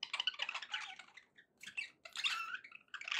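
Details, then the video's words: Happy pet budgies chattering softly in bursts of scratchy warbles and chirps, pausing briefly midway before resuming with brighter, busier warbling. "happy budgie sounds"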